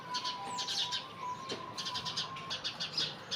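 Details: House sparrows chirp busily at dawn near a house in a dense chorus of short, bright, repeated notes, over a faint steady tone of devotional music from a temple loudspeaker; House sparrow.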